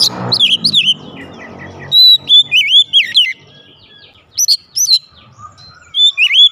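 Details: Oriental magpie-robin kept in the house, answering with loud song: slurred whistles and a long steady whistle followed by looping notes, with short high chip groups and some low noise at the start.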